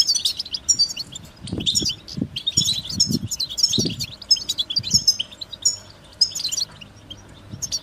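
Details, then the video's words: Goldfinch song: rapid, liquid twittering of high chirps and short trills in quick bursts, with several dull low thumps partway through. "Amplifying the Goldfinch's Voice"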